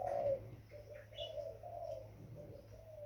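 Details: Young spotted dove giving a low, hoarse coo that opens loudly, then trails into softer, drawn-out cooing notes, with faint higher chirps in the background.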